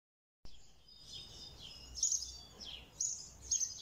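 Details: Red siskin singing a high, thin twittering song of rapid chirps and short buzzy, sliding notes, with brighter bursts near two, three and three and a half seconds over faint low background noise.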